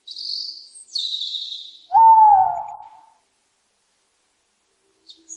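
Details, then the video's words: After two short bursts of high, thin chirping from another bird, an owl hoots once, a clear tone that rises briefly, then falls gently over about a second, followed by quiet. "owls hooting"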